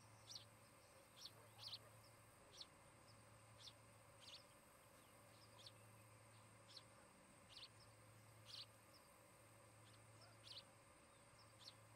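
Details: Osprey couple at a newly built nest in Charlo, Montana, nest camera, 17 August 2018; a long series of thin, high, clipped chirps, about a dozen, spaced roughly one second apart over quiet hum.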